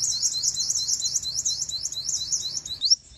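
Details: Female sunbird lure call from Vietnam, used in trapping to provoke males to fight: a continuous stream of rapid, very high twittering notes, ending with one sharp rising note, low hum beneath.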